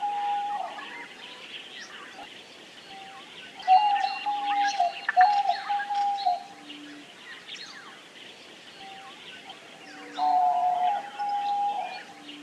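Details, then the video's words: Drawn-out, steady cooing notes of a diamond dove, arriving in two bursts separated by quieter stretches, over a constant background of many small birds chirping and twittering at higher pitch. "Canto da Rolinha Diamante / Pomba Diamante | Diamond Dove | Geopelia Cuneata"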